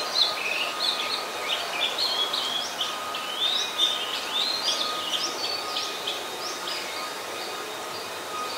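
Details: Oriental magpie-robin, a very common resident, singing in Ubon Ratchathani, Thailand, on 26 December 2020, recorded with a Nikon P1000: continuous varied whistled phrases, sweeping up and down in quick succession, over a steady faint hum.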